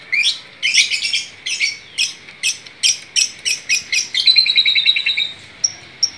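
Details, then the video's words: Long-tailed shrike singing in an energetic gacor burst: a varied, fast chatter of high clipped notes and squeaky phrases, ending in a quick rattling run and two thin, isolated high notes. "cendetnya jadi gacor mantap"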